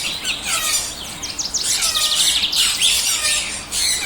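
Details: Shrill chatter of blue opaline lovebirds kept as pets in Pakistan: rapid, overlapping high squeaks and chirps run almost continuously, with short upward and downward flicks.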